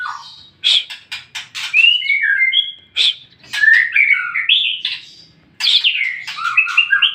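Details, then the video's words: White-rumped shama song played as a lure so other shamas reply: sharp clicking strokes, then melodic whistled phrases that dip and rise, broken by short pauses, with dense chattering bursts returning toward the end. "Murai manapun pasti nyaut dengan suaranya"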